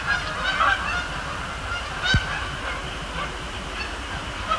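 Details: Canada geese calling at night at Sapsucker Woods Pond, Cornell Lab of Ornithology; sparse honks early on, then fainter calls over a continuous low rumble, with one sharp click.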